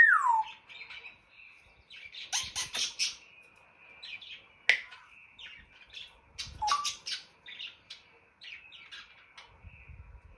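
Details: African grey kept as a pet making funny mimicked noises: a falling whistle at the start, then bursts of clicks and pops, squeaky chirps and scattered ticks over ten seconds, with a faint low rumble near the end.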